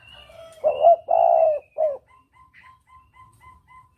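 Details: Lure call of the spotted dove for hunting, clear double-coo type: a stuttered note, a long mellow coo and a short coo, followed by a thin high whistle and evenly spaced short pips repeating about three times a second.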